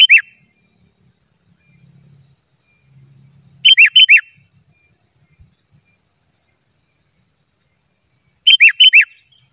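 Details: Lure song of the sooty-headed bulbul for bird trapping, unedited: three bursts about four seconds apart, each of three or four clear, slurred, downward-bending whistles.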